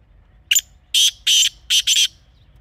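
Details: Grating call of a wild black francolin (kala teetar), Pakistan, natural setting: a brief clipped opening note followed by four coarse, buzzy notes, the last two almost touching.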